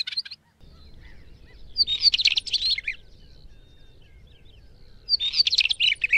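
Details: Northern wheatear singing: a short scratchy burst, then two dense, crackling, chattering phrases about a second long, high-pitched and rapid, separated by a quiet pause with faint background hiss.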